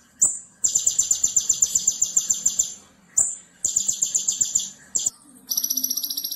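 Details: Konin masteran song for training other birds, full tembakan: bursts of very high buzzy trills, each opened by a sharp clipped note, separated by short silences and ending in a thinner rapid trill.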